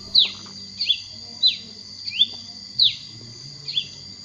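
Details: Masked cardinal, a Colombian, Venezuelan and Trinidadian resident, delivering sharp, falling whistled chirps, about six spread across a few seconds, each a quick downward slur, over a steady high background hum.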